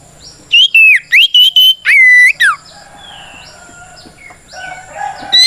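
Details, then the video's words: Kacer, oriental magpie-robin, giving its challenging fight song to stir rivals: a string of short clear whistles ending in a long level note and a falling slur, then soft distant bird calls. "Suara Burung kacer gacor NGEPLONG tarung ini paling ampuh buat PANCINGAN KACER agar EMOSI Nyaut"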